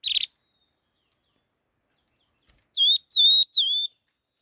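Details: Laughingthrush singing fast, rapid song. A short buzzy burst is followed after a pause by three loud whistled notes, each dipping then levelling, with bright overtones, in quick succession.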